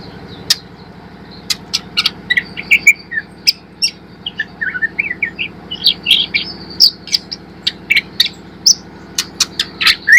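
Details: White-rumped shama, a young spotted 'murai trotol' of fighter type, sung as a lure to help a bird learn and sing out quickly: varied bright whistles and slurred notes mixed with sharp clicks and chips, irregular bursts over steady low hum.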